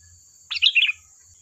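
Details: Single sooty-headed bulbul phrase from a lure recording for drawing out other birds: a quick half-second burst of rich gurgled notes dropping in pitch, over a faint steady high whine.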